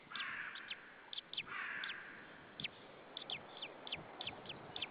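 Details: White-tailed eagle male at an Estonian nest in Saunja, shouting as another eagle arrives, evening of 26 April 2013. Two hoarse, drawn-out cries near the start, followed by scattered clicks and faint background noise.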